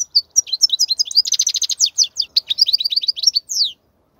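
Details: Goldfinch singing a wild-type song meant for tutoring young birds: a rapid, continuous run of bright twittering notes and buzzy trills, ending with a downward slurred note, no background noise.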